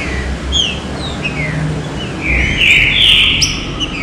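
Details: Green-winged saltator (trinca-ferro) fine "serrinha" song used to excite other trinca-ferros: short, clear slurred whistles, then a louder, richer burst of notes, over a low rumble of background traffic.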